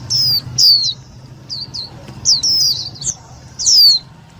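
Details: Indian white-eye calls played as a lure to trap and stimulate white-eyes: scattered high, thin, falling whistles, some louder and longer, separated by short pauses, steady low hum behind.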